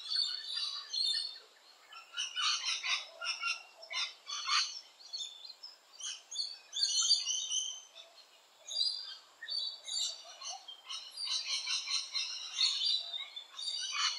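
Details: Rainbow lorikeets active around nesting holes, giving a continuous stream of harsh, scratchy chirps and squeals in dense clusters, rising and falling in loudness over about fourteen seconds.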